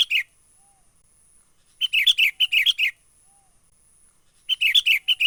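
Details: Sooty-headed bulbul recorded in the wild, 'menggaruda' lure call for trapping: brief clusters of scratchy, rattling notes in uneven bursts with quiet gaps between them.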